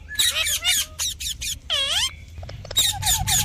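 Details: Harsh chattering parrot calls mixed with one long wavering nasal squawk in the middle, followed by quieter clicks and more rough calls.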